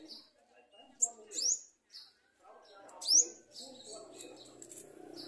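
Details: Garden sunbird bringing food to its baby as locusts threaten it: a few piercing high chirps, two of them loud and sharply down-slurred about two seconds apart, over soft low chatter and rustling.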